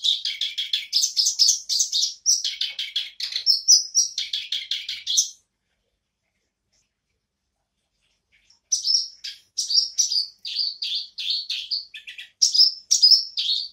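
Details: Black-browed reed warbler singing again after a pause: dense bursts of rasping, chattering notes for five seconds, about three seconds of silence, then renewed scratchy phrases with short whistled slurs.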